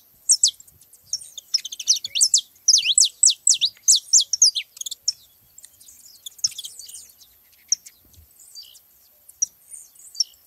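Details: Saffron finches at a gathering: a rapid burst of sharp descending chirps for about five seconds, then scattered softer twitters and single notes.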